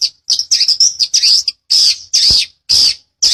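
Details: Long-tailed shrike in a master recording for teaching birds, sung in the dense rolling ngeplong style: a rapid jumble of scratchy notes, then longer harsh buzzy bursts repeated about twice a second.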